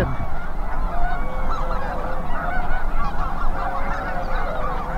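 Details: Huge migrating flock of geese at North Ottawa Impoundment, Grant County, western Minnesota, mixing Snow, Greater White-fronted, Ross's, Canada and Cackling Geese. A dense, continuous chorus of overlapping nasal honks and yelps, with steady low wind rumble underneath.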